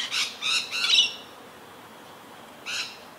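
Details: Harsh, rasping screeches from a feeding Rainbow Lorikeet in Australia: three quick grating calls, a pause, then one more screech. The bird is unthreatened and feeding frantically.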